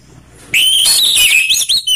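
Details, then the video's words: Orange-headed thrush, from a mix of rough and slow songs used to draw caged birds into singing: a sudden loud, rich warbling phrase of high whistled and buzzy notes, continuous with brief breaks near the end. "Perang Anis Merah Ngeplong/ suara kasar vs suara slow"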